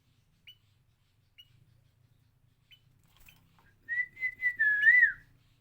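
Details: An adult sooty-headed bulbul imitates a chick's calls. Three soft high chips are spaced apart, then comes a rich run of whistled notes that waver and dip before fading out. The background is quiet.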